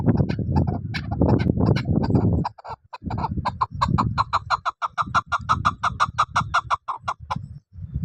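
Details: Chukar partridge calling: a run of short clucking chuk notes that settle into a steady series of about three per second. Low rumbling noise fills the opening seconds.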